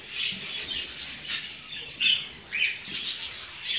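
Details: Show jumbo budgerigars in a breeding flock, murmuring chatter with several distinct scratchy squawks standing out around two and two and a half seconds.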